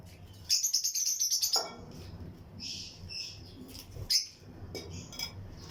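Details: Lutino lovebirds in a breeding colony aviary, pairs in a flight cage: a loud burst of rapid, high, scratchy chirps lasting about a second, then softer scattered twitters over a low background hum.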